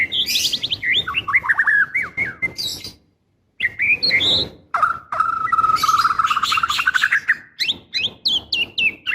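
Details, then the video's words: Female white-rumped shama in breeding condition calling the male, used as playback to get caged males singing: rapid varied whistled and chirping notes, falling slurs then a long steady warbled run, brief pause near three seconds. "Suara Murai Betina Gacor Memanggil Jantan"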